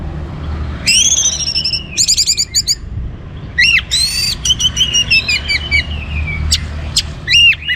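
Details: Energetic orange-headed thrush song meant to get other birds singing: sweeping whistled slurs, rapid stuttered note clusters and a long descending whistle, with low background rumble.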